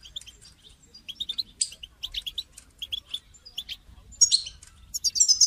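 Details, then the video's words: European goldfinch, used to get a caged goldfinch singing, uttering irregular twittering chirps and buzzy notes, then louder bright trilled bursts in the last seconds. "votre chardonneret ne chante pas voila la solution"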